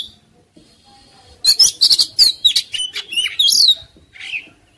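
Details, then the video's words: Agitated Oriental magpie-robin in combative display: after near silence, a quick run of high squeaky chirps and harsh scratchy notes, rising and falling, fading out with a soft slurred call. "KACER NGAMUK | KACER NGOTOT | KACER NGOBRA | KACER BUKA EKOR | KACER TARUNG"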